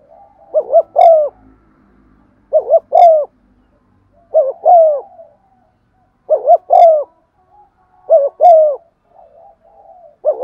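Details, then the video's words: Spotted dove used as a lure, giving methodical 'giọng son' coos to stimulate rivals: a steady series of two-note phrases, a quick wavering coo then a longer falling one, every two seconds or so. "Tiếng chim cu gáy mồi thúc gù bài bản giọng son"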